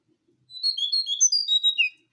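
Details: Lure call of a brown-throated sunbird: a quick, bright burst of high chirping notes, about a dozen tumbling notes in under two seconds, with no other sounds.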